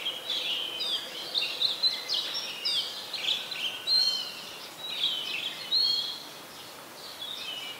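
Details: Adult Chestnut-headed bee-eater recorded in Ubon Ratchathani, Thailand, January 23, 2021; bursts of rippling, trilled chirps repeated irregularly, roughly every two seconds, over light hiss.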